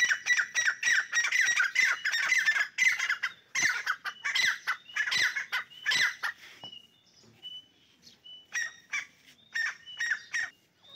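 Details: Dakni teetar partridges fighting: dense, harsh squawking for the first six seconds, then sparser rasping bursts mixed with brief whistled notes.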